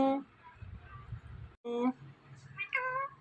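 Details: Indian ringneck parakeet talking indoors, mimicking words and a cat's meow; a tonal harmonic call opens, a second follows mid-clip, and a wavering meow-like cry rises then falls near the end over low room hum.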